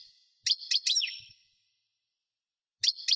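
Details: European goldfinch giving a few sharp, buzzy chirps in a short cluster, then silence and another pair of chirps.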